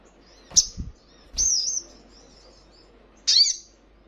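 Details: Crimson Sunbird recording used to train caged birds to answer: three sharp, high chirps, each rising to a brief, slurred whistle, spaced irregularly over about four seconds against a quiet background.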